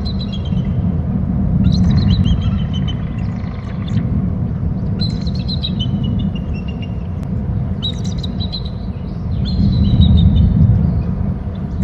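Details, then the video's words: Bald eagle calling from its nest territory on Hornby Island, recorded by a nest cam: four rapid series of shrill, staccato chitters that step down in pitch, set against a constant deep rumbling background. "eagle from left to ulb and calls"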